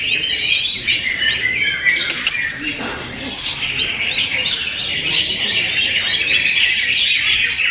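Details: Cucak hijau, the greater green leafbird, sings its song material: a series of sharp upswept whistles repeated about twice a second, woven through with rapid chattering twitters and squeaks, steady and loud throughout.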